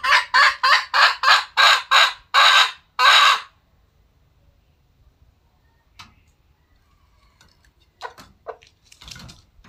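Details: Red junglefowl, wild, giving eight loud, rasping, clipped notes in quick succession over about three seconds, followed by near silence with a few faint clicks and knocks.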